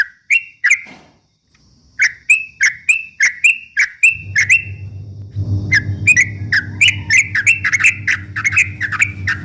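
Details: Trucuk bulbul song meant to rile opponent birds: crisp whistled notes with clicky onsets, sparse at first, then a rapid run of repeated chirps, with a low droning hum joining midway.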